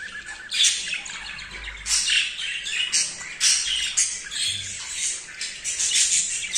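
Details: Courting male budgerigar, very excited and mating with a female for the first time, delivers rapid scratchy warbling. Bursts of buzzy clicks and squeaky notes come every half second or so, with brief quieter gaps.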